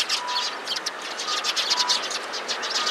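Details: Sparrows crowding around on 16 February 2017, uttering alarm calls: loud, clustered, scratchy chirps from several birds in close succession, with a faint low steady tone now and then beneath them.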